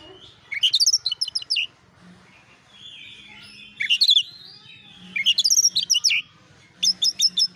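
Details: Oriental magpie-robin lure song to provoke replies: clusters of quick, high, scratchy chirps in short bursts, separated by softer slurred whistles and a faint low hum.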